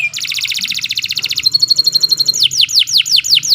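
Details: Canary song: a rapid high trill, a brief thin sustained whistle, then a string of quick downward-sweeping notes, about four per second, over a faint low hum.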